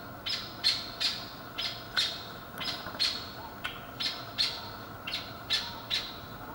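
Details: Barbary partridge (Alectoris barbara) mating call, recorded May 2020: harsh, grating chak notes, repeated about twice a second in an uneven rhythm, over faint background hiss.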